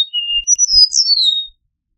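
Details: Singing Eastern meadowlark: a flat, sustained whistle leads into sweet slurred notes that rise sharply, then slide down in a long descending whistle; nothing else is heard.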